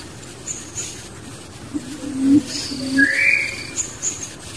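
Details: Wild barbet with its young, giving low, soft hollow hoots, two or three short notes, while a brighter rising whistle sweeps up once near the end over steady background hiss.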